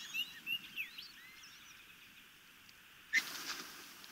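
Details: Osprey chicks begging during a good feeding at a nest near Chesapeake Bay, Maryland, on 26 May 2018, picked up by a nest camera: thin whistled chirps with gliding, wavering notes, then a sudden louder burst near the end.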